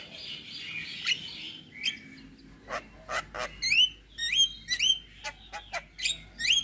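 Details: Javan myna (Acridotheres javanicus), song: stirs other mynas to answer and call back.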